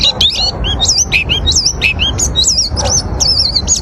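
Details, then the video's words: Song of an oriental white-eye, used to lure others of its kind: lively varied warbling with looping, wavering high whistles and quick chirps running without pause, over faint low background noise. "Kicauan pleci ini sangat. Cocok untuk memancing pleci lain"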